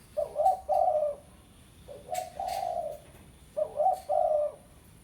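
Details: Spotted dove, an aggressive bird used as a lure recording to call a rival: soft, hoarse, rolling coo phrases in two parts, three phrases spaced about every 1.8 seconds, over a quiet background.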